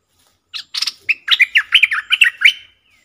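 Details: Forest recording of one of four decoy bulbuls: a lively string of about a dozen bubbly, warbling notes delivered rapidly over two seconds, ending in a faint thin whistle.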